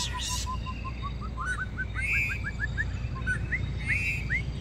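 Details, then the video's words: White-rumped shama of the Langkawi strain singing a string of short whistled notes that climb steadily in pitch and speed up, with a few higher ringing notes over a low background rumble. "Murai Batu baka langkawi"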